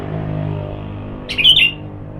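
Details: Kutilang or sooty-headed bulbul during sunning therapy, used as a lure for other birds; one short bright whistled phrase near the end after a steady low hum.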